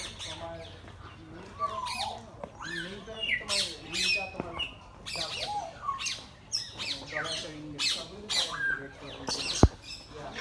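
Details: A flock of birds at a safari park in Gazipur, Bangladesh, giving loud, harsh squawks and sharp chirps in uneven bursts over ten seconds, with some low human voices mixed in.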